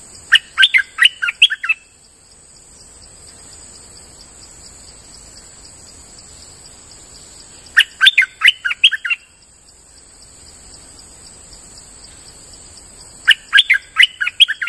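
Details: Streak-eared bulbul lure song from a forest outing: three bursts of bubbly, jumbled chirping notes, each about two seconds long and spaced roughly six seconds apart, over a steady high-pitched whine and quiet background.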